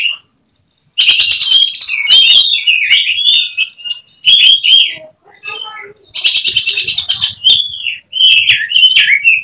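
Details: Caged oriental magpie-robin (kacer) prepared for contests, singing two long bouts of buzzy rattles merging into whistled slurs and chirps, separated by a quieter spell of soft scattered notes.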